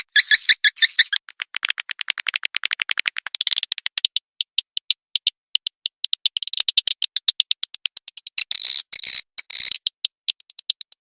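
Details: Edible-nest swiftlet call played through a tweeter speaker to attract birds: dense rapid clicking and buzzy chirps in long trains, rising and falling in intensity, with harsher chatter bursts toward the end.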